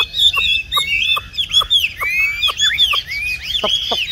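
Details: Caged tame Chinese hwamei, 'tam hoàng' type, with yellow legs and bill. Loud, clear, arching whistles and slurred notes come in bursts, each preceded by a sharp click, about two a second.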